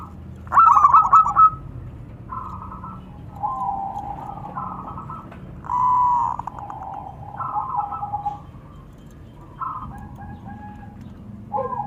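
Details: Local zebra doves answering one another between male and female: a loud rattling coo burst opens, followed by softer scattered trilled phrases and one smooth held note, with gaps of quiet between.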